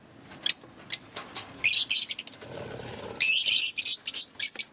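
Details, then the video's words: Green Fischer's lovebirds give shrill, high-pitched chirps and harsh squeaky bursts in quick irregular runs, with a brief rustle in between. "Cute Love Birds chirping & Sound"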